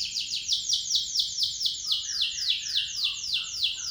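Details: Local canary roll song, used to lure other birds to sing; steady high trill of down-slurred notes about four per second, with soft lower warbles underneath.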